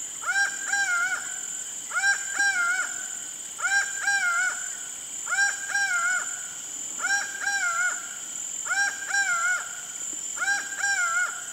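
A laughing falcon repeats loud, ringing two-part calls, a rising then falling "wah-co" about every one and a half seconds, over a steady high insect drone.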